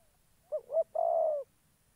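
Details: One complete coo from a spotted dove used as a trapping decoy in Gia Lai, Vietnam: two brief rising-and-falling hoots followed by a long, even, slightly rolling croo, clear against near silence.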